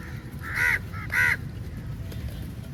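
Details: Crows gathered at food during feeding time: two loud, coarse caws about half a second apart, with weaker calls around them and a low background rumble.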